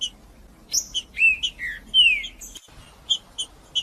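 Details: Male green-winged saltator in warm-up song, high chips leading into several slurred falling whistles, a long downward glide, then spaced short sharp notes.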